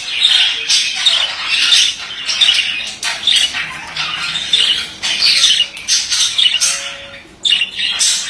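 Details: A male budgerigar warbles almost continuously, a rapid chatter of harsh squawks, clicks and high squeaky chirps that pauses only briefly near the end.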